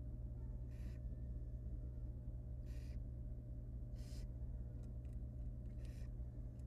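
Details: Wild barn owl nest holding three hatchlings while the female disposes of a dead nestling from the fourth egg. Softer breathy hisses recur irregularly, with faint clicks and a persistent low mechanical hum.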